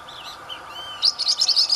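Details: A Blue-winged parrotlet, singing while feeding in the wild Caatinga of Brazil, gives a few soft, wavering high notes, then a quick run of sharp, buzzy chattering chirps lasting under a second.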